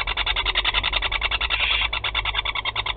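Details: Four young barn owls being fed at the nest in Théding, 16 July 2020: a steady, rapid run of harsh, clicking, rasping pulses, several per second, with a louder hissing swell midway and no other clear sounds.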